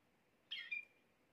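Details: Canary song said to make a female canary quickly take the mating posture: one brief bright burst of high notes, a harsh rasp sliding into a thin sustained whistle, over a quiet background.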